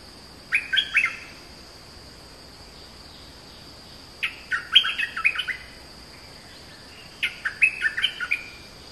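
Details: Oriental magpie-robin singing: short bursts of sharp, rapid chirps and whistled notes, each phrase lasting about a second and repeating roughly every three seconds, over a steady high-pitched electronic hum.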